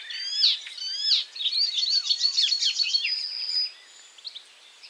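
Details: Singing icterine warbler that catches caterpillars between bouts. Two bright swooping notes lead into a fast chattering run and a sustained high buzzy note, then the bird falls quiet.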